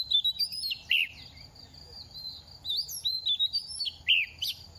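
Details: Second-year oriental magpie-robin singing during its moult, feathers falling. Short separate phrases of bright, slurred whistles and downward swoops, with pauses between them and softer twittering at the back.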